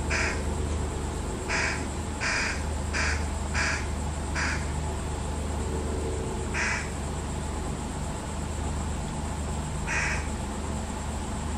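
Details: Fish crows, a single fledgling with its parents feeding it, giving short nasal calls: a quick series of six between about 0.5 and 4.5 seconds, then two more spaced apart, over a steady low hum.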